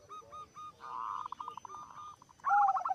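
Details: A zebra dove in active song that sets other zebra doves singing: three short soft coos, then a long rolling run of rapid, even, mid-pitched cooing notes, closing with a louder, richer burst of coos.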